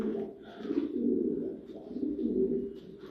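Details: Fancy pigeons, a prized breed from Saudi Arabia, kept as a hobby in Noakhali: a low, rolling coo rises and falls in steady swells for three seconds, indoors, with faint higher chatter.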